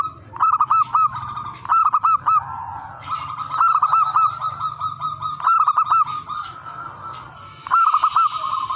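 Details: Wild-type local zebra dove, called perkutut, in full cooing song used as a lure and training master for other zebra doves: rapid bubbly trilled coos in short phrases, repeated every one to two seconds over steady electronic hum and hiss.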